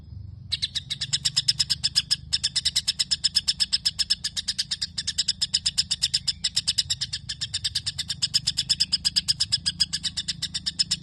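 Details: Long run of sparrow-style chattering from a white-rumped shama: after a moment of quiet, rapid crisp chips pour out continuously for ten seconds at an even pace.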